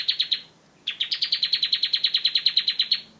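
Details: Ngebren song from a bar-winged prinia, meant for tutoring: a few fast high notes, a brief break, then a sustained rapid series of sharp repeated chips.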